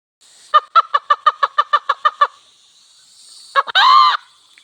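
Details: Wild red junglefowl hen and cock near a village: about eleven sharp, evenly spaced clucking notes in a quick run, then a brief stuttered, harsh crow. A steady high insect drone continues behind.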